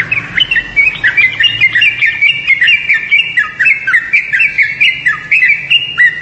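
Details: Yellow-vented bulbul delivering a long, lively chatter of rapid squeaky chirps and swooping notes, about four per second, continuing without a break.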